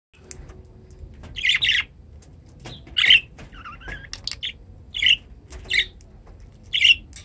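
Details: Newly acquired pet budgerigars in a new cage indoors give short, harsh chirps and squawks in scattered bursts about every second, with softer warbling between.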